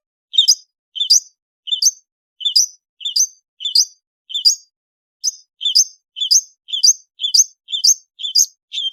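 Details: An Indonesian long-tailed bird repeats one short two-part chirp, a low note sliding up into a higher squeaky note, about twice a second with a brief pause midway, on an afternoon.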